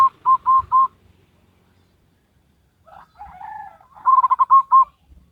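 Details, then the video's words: Zebra dove, local wild bird, singing a Salendro-rhythm song: a short run of four mellow coos, a gap, a softer warbled note, then a quick cluster of rolling coos ending in longer notes. "Perkutut Lokal Alam Manggung Gayer Irama Salendro"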